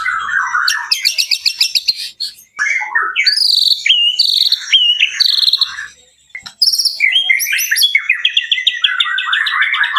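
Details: White-rumped shama from Jakarta in a lively song: varied whistled phrases, quick buzzy trills and high chattering runs, broken by two short silences, ending in rapid repeated notes that fall in pitch.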